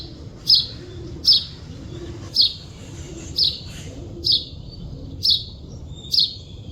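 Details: Natural chirping of a wild bird (chidiya): seven clear, high, short chirps spaced close to a second apart, steady and evenly loud, with soft low noise behind.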